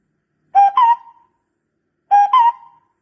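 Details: A barbet's two-note call used as a decoy sound: a short low note rising into a higher, lingering note, heard twice about one and a half seconds apart.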